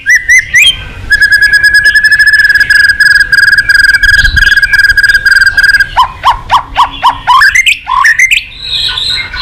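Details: White-rumped shama in full, vigorous song with imitated phrases, used to provoke other shamas: a long, rapid, even trill on one pitch lasting several seconds, followed by a string of sharp downslurred whistles.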